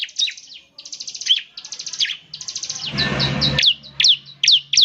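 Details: Bar-winged prinia singing in semi-active form, said to make other prinias sing along: rapid buzzy trilled bursts alternating with sharp downslurred chips, with a brief rough noise midway.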